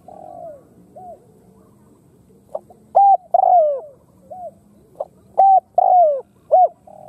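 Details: Khmer spotted dove calling: quiet scattered coos, then two loud phrases of short and long coos, the longest one drawn out and falling in pitch, with soft low rumble underneath.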